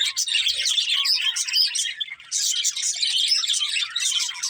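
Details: Several budgerigars chirping together: a dense, continuous chatter of fast, overlapping high twitters and short squeaky notes, with a brief dip in activity near the middle.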